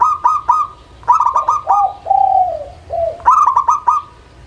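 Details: Local zebra dove song: quick clipped bursts of notes, then a drawn-out falling coo and a shorter coo, then another rapid run of staccato notes. A faint low hum runs underneath.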